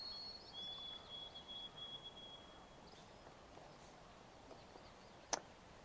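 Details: White-throated Sparrow singing pure, clear whistles: a brief high note, then a long, lower, slightly wavering whistle. A crow, a Yellow Warbler and likely another warbler are also in the recording. There is a sharp snap near the end and soft outdoor hiss throughout.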